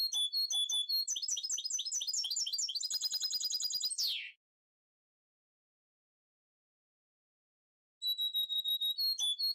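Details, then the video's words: Goldfinch mule, freshly moulted captive hybrid: rapid high twittering phrases with fast repeated chirps and a trilled run ending in a downward slur, then about four seconds of silence before twittering resumes. "que bonitos que an salido estos mixtos de jilguero pios corbatas"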